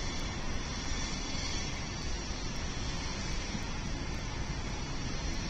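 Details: Steady hissing broadband noise from a falcon nest camera, with no animal sounds.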